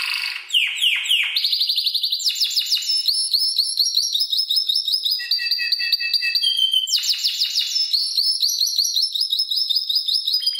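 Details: Seven-month-old Spanish Timbrado canary, learned from electronic timbrado song, performs a varied sequence: quick falling sweeps, rolling trills, held tones and renewed bursts of swept notes, loud and continuous.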